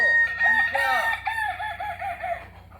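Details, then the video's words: Kokok Balenggek rooster, a native chicken from Solok, West Sumatra, crowing: a long harmonic-rich call that breaks into a rapid series of wavering, stepped syllables, fading toward the end. "Ayam kukuak balenggek asli solok sumbar"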